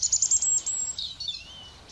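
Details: European robin in the Raaderwald around New Year 2024: a very high, thin phrase of quick trilled notes, then lower gliding whistles that fade into soft, drawn-out tones; quiet background.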